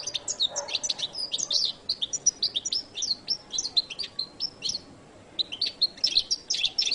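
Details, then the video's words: Goldfinch song: a fast, continuous run of high, sharp chirps and short twittering notes, with brief bursts and clipped trills, over a faint background hiss. "canto de jilguero latino"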